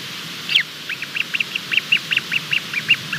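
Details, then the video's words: Bermuda petrel (cahow) chick calling while hatching, late at night on 28 February 2020: a series of short, sharp high peeps, about four per second after one louder opening note, against a quiet background. "Hatch in progress, chick is talking"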